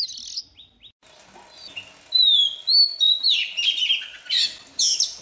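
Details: Recently caught Oriental magpie-robin warming up its voice at dawn: a few soft notes, then a loud burst of long sliding whistles and scratchy, buzzy phrases.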